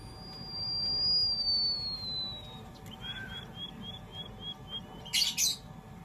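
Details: White-headed munia: a long thin high whistle that slowly falls in pitch for over two seconds, then a quick series of soft evenly spaced short notes, ending with two loud harsh chirps, against a quiet background hum.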